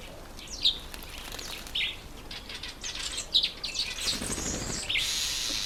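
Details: Red bishop during breeding season, when males turn black and red and hold territories in reeds over water; scattered short chirps and buzzy notes with wing flutter, ending in a sustained buzzy hiss.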